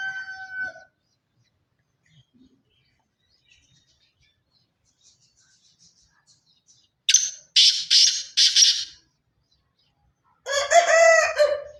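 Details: Black francolin of pure Sindhi chirki lineage calling: a brief harmonic note, then after a long silence three loud, harsh, rasping bursts followed by a grating, harmonic, descending phrase.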